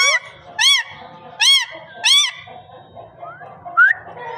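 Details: Parrot giving four arched, nasal harmonic calls, evenly spaced about every 0.7 seconds. They are followed by two quieter, short rising whistles, against a steady low hum.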